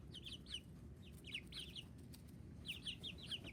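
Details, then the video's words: Chicks of domestic chicken calling: rapid high-pitched peeps falling in pitch, clustered in pairs and runs with brief gaps, several birds overlapping above a constant low hum. "Le chicks, 🐤 (some loud noises)"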